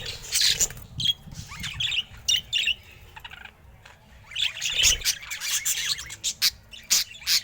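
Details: Budgerigar described as looking happy today; short bursts of bright chirps and squawky twitters broken by brief pauses, with a quieter stretch near the middle before chattering resumes.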